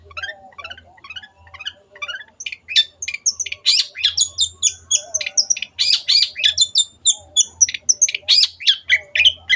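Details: Long-tailed shrike singing vigorously: opens with soft, scattered chips, then breaks into loud, varied whistled and squeaky notes delivered in quick succession, each slightly different, with no other sounds.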